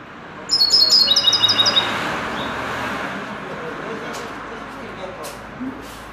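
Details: Common linnet trained in goldfinch song: one loud, rapid, high twittering phrase of quickly pulsed notes lasting just over a second, then steady background hiss with a few faint clicks.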